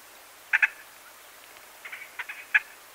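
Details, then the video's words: White-fronted Bee-eaters, 12–15 birds at medium-close range, some perched by nest holes, give short, husky, rolling notes, a quick double call, then a loose cluster of several overlapping calls from the group. "White-Fronted Bee-Eater. MD-CU Calls From 12-15 Birds"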